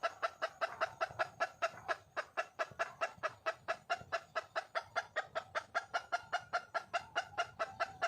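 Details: Red junglefowl hen calling for a male: a long, steady run of sharp, clucking notes, about two and a half per second, each with a bright ringing tone, continuing without pause for eight seconds.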